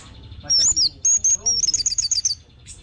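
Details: Short burst of orange-headed thrush song: a few clear high whistles followed by a quick rattling trill of bright notes, then quiet. Used as a lure to get other birds singing.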